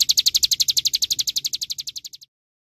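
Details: A short burst of olive-backed sunbird song: quick, high, ringing notes in a tight trill that slows and fades slightly before stopping abruptly after two seconds.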